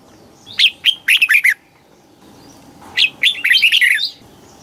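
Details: Thai red-whiskered bulbul giving southern master style song, played to rouse birds and teach young ones. Two phrases of rapid, bright, slurred whistles, the second longer and more warbling, over faint background noise.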